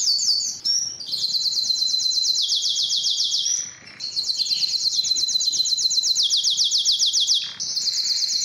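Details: Canary singing strongly and at length to attract females for mating and breeding: long runs of rapid high trills, each held for seconds before switching to a new pitch, with a brief pause near four seconds.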